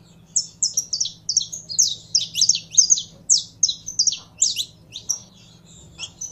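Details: Kept saffron finch being warmed up to sing: a lively run of sharp, high chirps and short buzzy trills, packed close together for over six seconds, over a faint low steady hum.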